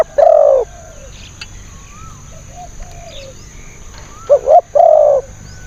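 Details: Spotted dove, described as a wild bird of a fierce strain with a small, thin voice, used as a decoy to lure wild birds: a loud hoarse coo opens, then faint gaps, then a quick double note and another drawn-out coo near the end.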